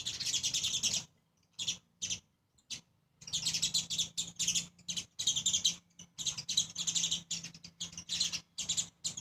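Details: Two adult sparrows with their two young feed on grains at a seventh-floor perch; rapid, high chirps tumble almost without pause, broken by a few brief silences, over a faint low hum.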